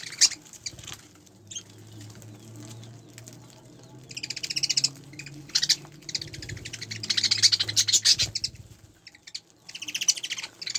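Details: Group of spangle budgerigars keeping up long spells of fast, scratchy, high-pitched chatter in pulsing bursts, over a steady low hum in the background.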